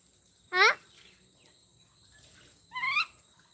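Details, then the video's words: Common myna mimicking Bodo speech with two separate human-like syllables: a loud, quivering, downward-sliding one, then a softer rising one about two seconds later, against a faint steady hiss. "Maina Bird - The First Human to Talk in Bodo Language!"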